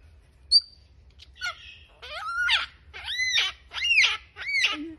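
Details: Wild lyrebird singing in Kinglake, Victoria, near Masons Falls, on 5 June 2020: loud, arched, ringing whistled notes that sweep up and down, repeated roughly once a second after a few scattered thin calls, with low background rumble.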